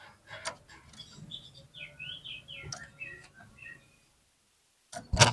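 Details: Oriental magpie-robin lure song, used to get other birds singing: quiet, varied slurred whistles rising and falling in a short run, with scattered clicks and low background hum, then a sharp loud burst at the end.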